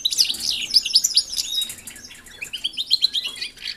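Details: European goldfinches kept in an aviary alongside canaries, placed there to exercise and get used to them before pairing: dense high twittering with quick chirps and trills, busiest in the first second and a half, then lighter chatter.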